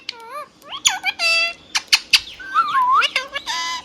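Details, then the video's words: Tame pet ringneck parrot chattering in speech-like bursts: stacked harmonic syllables, a harsh screechy note curving down then up, and repeated sharp clicks in quick succession. "Hand tame Parrot Talking video | Mithu Tote Ki Awaaz"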